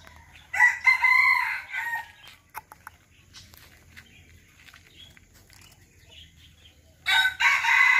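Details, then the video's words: Serama chicken giving two loud crows about six seconds apart. Each is a rich, steady, harmonic call lasting over a second, with soft clucks and scattered clicks in the quiet gap between them. "SERAMA CROWS || SERAMA BERKOKOK GAGAH, KECIL-KECIL CILI PADI"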